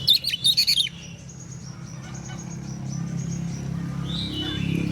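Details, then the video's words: Morning ngeplong song of an Oriental magpie-robin, a lively kacer meant to make other magpie-robins reply: a fast burst of sharp, high whistled notes lasting about a second, then quieter background with a constant low rumble. "KACER gacor NGEPLONG di pagi hari BUAT KACER lain NYAUT"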